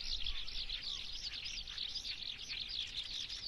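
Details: Eurasian skylark song, a clear run of quick, looping whistled and trilled notes repeated without pause, over a quiet background.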